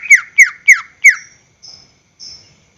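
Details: A greater green leafbird's lure song for caged birds: four loud, evenly spaced, downward-slurred whistles, followed by two soft, high buzzy notes.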